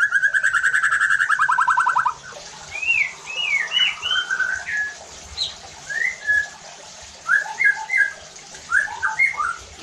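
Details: White-rumped shama song used as a lure to provoke other shamas into loud, aggressive singing; opens with a fast buzzy trill, then a string of short whistled and slurred phrases with gaps between them.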